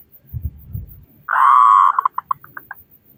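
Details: Zebra dove, local bird with a strong voice, singing to prompt other doves: low thumps, then a sustained buzzy coo dissolving into a string of short pulses that fade away.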